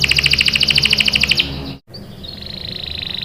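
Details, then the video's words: Canary song from a lure recording meant to prompt young canaries to sing: a fast, high, even trill of rapid repeated notes for about a second and a half, a brief break, then a softer buzzy trill. "PANCINGAN KENARI GACOR CUIT CUIT memancing kenari paud ikut BUNYI | CANARY SINGING"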